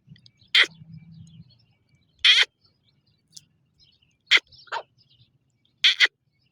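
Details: Partridge (teetar) calling: loud, harsh, buzzy single notes repeated about every two seconds, with a faint low hum between calls.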